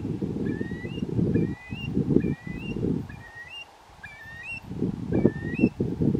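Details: A Eurasian curlew on Meaburn Bank in Maulds Meaburn gives rising, fluty whistles about once a second, each sliding upward, with heavy wind rumble underneath throughout.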